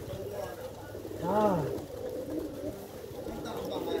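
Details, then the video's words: Pigeon giving a single low, rounded coo that swells and falls over about half a second, with a murmuring background and faint room noise. "the sound of pigeon"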